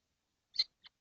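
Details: Kestrels, seven together in a nesting box on a hot day, 12 June 2025; one short harsh high call followed by a fainter second note.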